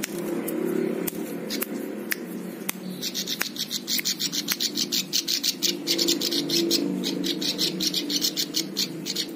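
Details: Plain prinia song used for tutoring other songbirds: scattered sharp ticks, then a long rapid buzzy trill of high notes, dense and even, lasting several seconds against a low steady hum.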